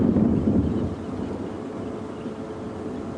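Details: Rumbling wind buffeting the microphone and a low vehicle drone fill the recording on an evening safari drive, with no animal calls.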